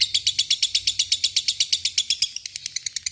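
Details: Fighter lovebird in a long ngekek trill, a quick steady series of piercing high chirps that softens slightly near the end.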